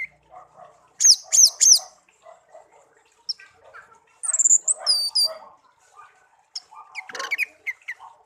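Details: Songbird hand-reared from young after being found in a garden, now a tame pet of one year. Sharp high chirps and a burst of clear whistles come over softer, lower murmuring noises.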